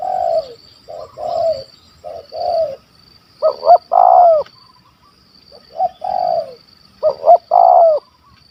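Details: Spotted dove in Malaysia, a loud-voiced stuttering 'gagap' bird in 'kuk 1 2' style sought by hunters, alternates softer short-long coo pairs with loud stammered phrases of quick rising notes ending in a long coo, under a steady high whine.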